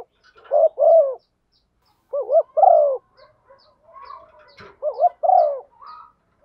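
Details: Spotted dove hen coos to rouse a male, used as a lure: paired short coos then a drawn-out descending coo, given twice, with faint chirps of other small birds and a brief click between phrases.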